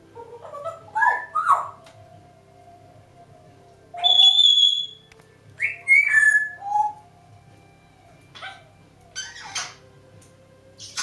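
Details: Winding-down noises from two pet African grey parrots on a kitchen door before bedtime: scattered whistles, a long pure high note, rising and falling chirps and clicks, with a low indoor hum underneath.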